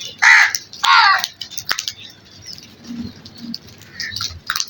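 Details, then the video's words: {'caption': 'Crows at morning feeding time: two loud harsh caws in quick succession, then softer scattered chirps and calls with background clatter.'} "Crows Feeding Time in the morning | Crow Sounds"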